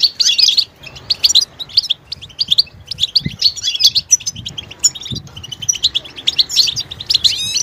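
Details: Goldfinch betbeta calls, mating and readiness calls meant to make a male sing and break his silence: dense runs of high, tinkling chirps and buzzy notes, pausing briefly near one second, then continuing in busy ripples with faint low thumps.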